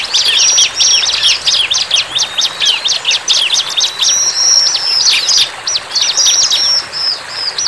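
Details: Bar-winged prinia singing lustily in the wild: loud, high, fast-repeated chirping notes strung in rattling sequences, with a few stretched whistles in the later part.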